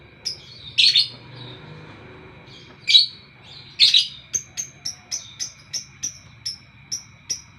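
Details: Lovebird in the morning gives three loud buzzy chirps, then a long run of about ten short, sharp, high notes repeated evenly every third of a second, with a steady background hum.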